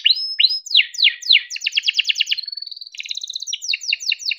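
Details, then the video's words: Domestic canary singing a long chirping, rolling song intended to get other canaries singing: looping whistled slurs, a fast stuttering trill, a brief steady whistle, then more rapid chirps, all high and clear. "Kenari gacor cuit cuit ngerol untuk pancingan kenari biar gacor"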